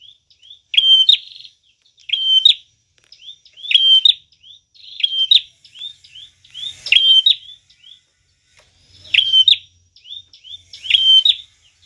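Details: A visiting Bar-winged Prinia singing vigorously, recorded as a lure: a bright, high phrase of sharp chirps and a quick trill, repeated about every one and a half seconds against a quiet background.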